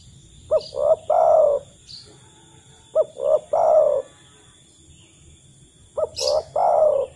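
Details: Spotted dove call used as a lure to prompt other doves to sing, the kind given in the wild to call other doves: three-note cooing phrases, a short note, a swelling note and a long falling coo, repeated about every three seconds.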